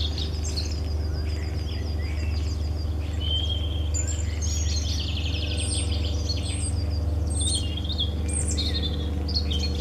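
A European robin sings high, thin, varied phrases of sweet whistles and quick trills, rising and falling, over a steady low rumbling hum.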